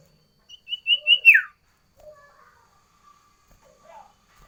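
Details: Sooty-headed bulbul singing a variation song: a short run of bright whistled notes ending in a falling slur, then faint soft chatter and a low steady hum.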